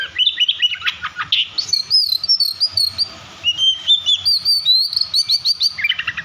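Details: Over-excited Oriental magpie-robin pouring out song to provoke rival magpie-robins: rich warbled whistles, clear sliding notes and quick chattering trills, delivered in loud, nearly unbroken phrases with a faint low hum behind.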